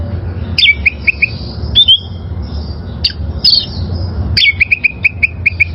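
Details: Wild oriental magpie-robin singing, recorded for training caged birds: sharp sliding whistles and a rapid series of repeated clipped notes near the end, over steady low hum.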